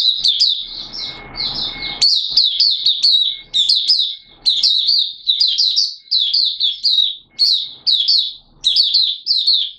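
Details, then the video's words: Malaysian Oriental white-eye, called mata puteh, in buka sing opening song, recorded in Singapore on 29 March 2023 in warm, humid weather with sudden showers. Energetic, high chirruping phrases repeat steadily with a faint steady tone beneath. "Malaysian Mata Puteh Buka Sing"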